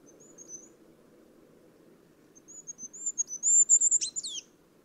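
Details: Goldcrest, wild bird, giving a faint opening note then a high, thin accelerating series of piping notes ending in a short sputtering trill, soft low rumble behind.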